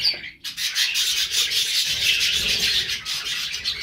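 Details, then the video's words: Budgerigars singing as a group: a dense, continuous warbling chatter of high chirps, squeaks and scratchy notes, briefly quieter at the start and then steady throughout. "budgies song"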